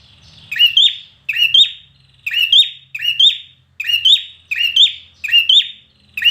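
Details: Competition-trained red-whiskered bulbul repeating bright, sharp two-part whistled phrases, rising then trailing off, roughly every second in a steady run; a low background hum is faintly present.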